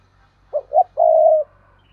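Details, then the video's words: Decoy spotted dove calling to lure others: two short rising hoots followed by a long, steady, slightly falling coo of about half a second, deep and clear against a quiet background. "Chim Cu Mồi Thúc Và Gáy Gọi"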